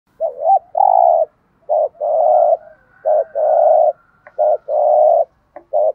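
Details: A decoy spotted dove (Spilopelia chinensis) calls to lure wild doves: low, hollow coos in paired phrases, a short note then a longer drawn-out one, repeated steadily; a faint high chirp is also heard.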